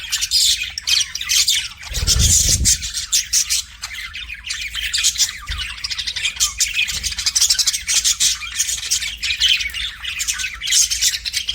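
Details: Budgie singing to a mirror as a pet, a dense scratchy warble of chirps and clicks throughout, with a low thump or knock near two seconds.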